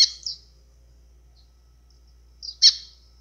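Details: White-throated seedeater, azulão-style song to excite birds: a quick pair of bright high notes, a pause, then another loud, sharp downstroked note.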